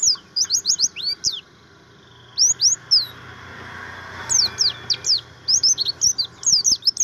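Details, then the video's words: Buxtomi-type Javan grey-throated white-eye tutor song: dense bursts of sharp, high, down-slurred whistles in fast runs, broken by short pauses, with a faint hum behind. "pleci buxtomi materi"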